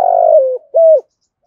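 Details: Spotted dove cooing to provoke other doves, a loud purring coo sliding slightly down, then a short clear hooted note.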